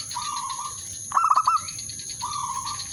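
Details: Zebra dove used as a lure call to draw a rival and spur it to coo: one quick phrase of clipped, stuttering coo notes midway, between long steady hum-like tones at similar pitch, with constant high electronic whine.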